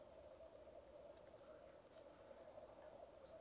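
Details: Black grouse at a lek, recorded with a Rode Videomic Go: a steady, low bubbling chorus of rookooing that murmurs on without a break, with faint higher hissing notes drifting above it.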